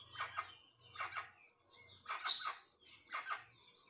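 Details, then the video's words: A rusty-margined guan gives four harsh, raspy double notes, about one per second, over a faint low hum. "CANTO MP3 DO JACU OU JACUAÇU"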